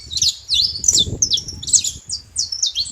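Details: Wild, free saffron finch giving a brief burst of high, sharp chirps and slurred downward notes, with a low rumbling background noise under the middle of the phrase.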